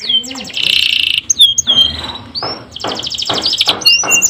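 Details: Canary song played as a tutor recording for canaries reluctant to sing: loud, fast buzzy trills, sharp slurred whistles sweeping up and down, then a run of rolling pulsed phrases, over light background hiss.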